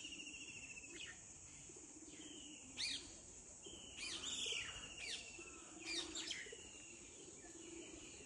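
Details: Yellow-footed green pigeon, locally called haitha or haital, recorded at Block Road, Titabar: clear whistled notes, some level and some gliding up or down, given in irregular bursts over a steady high insect drone.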